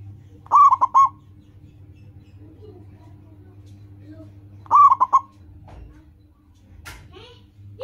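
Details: Loud local zebra dove used to prompt caged birds into song: two trilled, staccato coo phrases about four seconds apart, followed by scattered clicks and faint bird notes.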